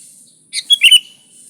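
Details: Sooty-headed bulbul song for luring bulbuls: one brief phrase of three or four bright, bubbly notes.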